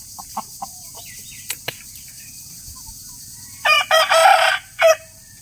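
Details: Loud rooster crow in several harsh, buzzy bursts that run together into one strained call near the end, preceded by scattered soft clucks and faint clicking sounds.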